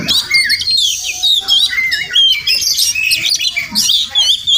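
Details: Wild Oriental magpie-robin near a home, possibly nesting nearby, pours out a varied whistled song of swooping notes and quick chirps in tight phrases.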